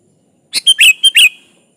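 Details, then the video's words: Sooty-headed bulbul singing to draw a rival: a single loud, clean phrase of five rounded, gurgling notes delivered within about three quarters of a second. "Suara burung kutilang gacor ini Ampuh memanggil lawan"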